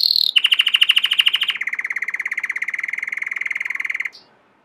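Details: Belgian canary, a domestic canary, delivering a fast rolling trill of evenly repeated notes that steps down to a lower, steady trill for several seconds and ends with a short high whistle.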